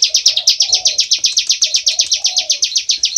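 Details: Bar-winged prinia singing hard in ngebren style, a quick rattling series of sharp high chips, about eight each second, with low soft burbling notes beneath.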